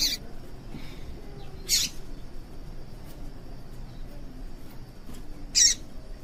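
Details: Calls of a female yellow-bellied seedeater played to get males singing, as kept by contest breeders; three brief high piercing chirps separated by long pauses, over low background noise.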